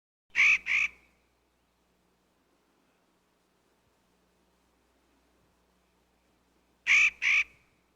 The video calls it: CLARK'S NUTCRACKER BIRD SOUND EFFECT